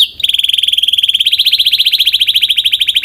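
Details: Canary song as a fast, even buzzy trill of rapidly repeated high notes, sustained for about three seconds.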